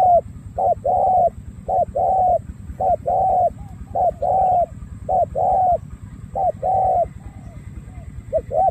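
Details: Spotted dove of Cà Mau, dark purple legs, cooing in the đồng gù style: around eight regular short-long coo pairs in quick, steady succession, mellow and low.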